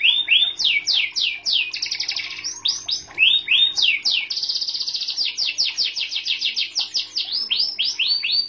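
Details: Lively song from a white canary, loud rapid trills and rolls of high chirps with quick changes of pattern, strong and continuous throughout.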